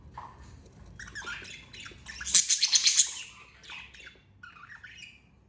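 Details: Budgerigar family, two parents with their two babies: scratchy chirps and squawks building to a loud burst of rapid, high, bright chatter midway, then softer twittering notes trailing off.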